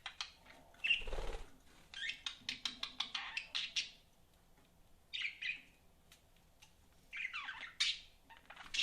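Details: Pet budgerigars with a rapid series of clicking ticks followed by scratchy chirped phrases, spaced by quiet gaps, plus a low thump early on.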